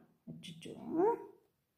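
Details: An African grey parrot talking in Tamil utters a single word-like phrase of about a second, voiced and throaty, ending on a rising, squeaky note; nothing else is heard.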